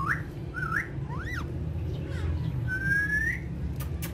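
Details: Household parrots playing on a charpai. Several separate whistles, some rising, one with a zigzag shape, end in a long, steadily rising whistle, heard over a constant low hum.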